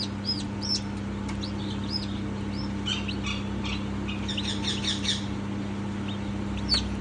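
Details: Newborn chick peeping: thin high arched cheeps scattered irregularly, some in quick clusters, over a steady low electrical hum.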